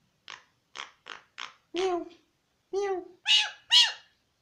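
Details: Talking mynah imitating Pashto speech: four short raspy syllables, then two longer, lower voiced sounds, ending with two loud, high, harmonic calls close together.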